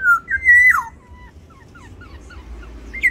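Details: One black-naped oriole phrase from an aviary territorial fight: a loud, liquid whistle sweeping up then dropping sharply, followed by a string of softer, short whistled notes.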